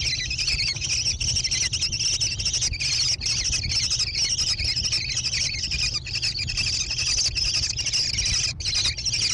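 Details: Growing American kestrel chicks in a nest box on private land in Wisconsin, USA, recorded by nest camera on 14 June 2022; dense, grating, unbroken high chatter throughout, with a low background drone.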